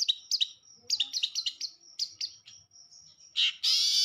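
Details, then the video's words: Long-tailed shrike singing energetically: a rapid run of sharp, high chirps and short trills, mostly paired notes in quick bursts, followed by a brief pause, then a louder harsh rasping burst at the end. "burung cendet gacor"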